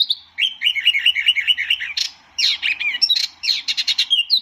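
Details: White-eye (tieu mi or wambi mini) song: a run of quick wavering twitters, then a pause and busy bursts of sharp high chips and slurred squeaks.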